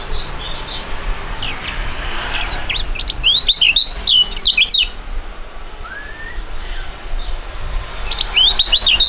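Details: Two young songbirds of fighting type sing together; loud, rapid, zigzag whistled phrases come in bursts, with scattered chirps from other birds and low background noise.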